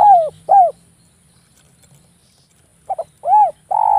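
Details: Javan spotted dove giving a sharp, tight cooing used to lure other doves; two falling arched coos, a quiet gap, then a quick double stutter, a rounded hoot and a long burry coo.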